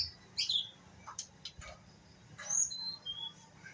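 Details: Young white-rumped shama practising song. A sharp falling chirp is followed by a few clicks, then a short run of thin high whistles at different pitches, soft and unsteady.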